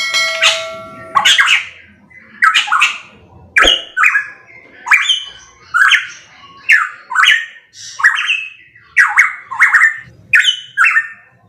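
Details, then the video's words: Pitohui, loud song recording: a string of harsh, squawky two-part phrases, each a sharp rising note dropping into a buzzy lower tone, repeated about every second after a short burst of scratchy notes at the start. "Masteran Burung Pitohui MP3 _Suara Kenceng"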